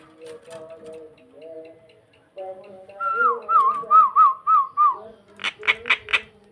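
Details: Luring song of a starling: soft warbling, then a run of wavering whistled notes repeated about five times, ending with four loud harsh rasps.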